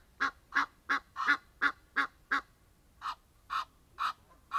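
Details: Egyptian geese out in nature: a fast burst of harsh honks, then a short gap, then slower, more widely spaced calls; about twelve in all.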